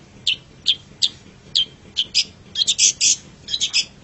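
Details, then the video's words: Long-tailed shrike, kept as a pet songbird, with a master song for training: spaced sharp high chips that turn into quicker paired and tripled notes toward the end. "MASTERAN GACOR - Suara Burung Cendet"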